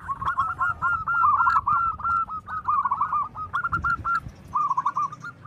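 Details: Local zebra doves with big voices, males and females calling back and forth: fast bursts of clipped, bouncing coo notes strung into rolling phrases, broken by brief gaps, with faint clicks and low noise behind.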